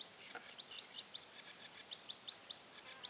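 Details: Bearded tit fledglings giving soft, high ping notes in a quick, uneven series over a steady hiss, with a faint thin whistle from another bird higher up.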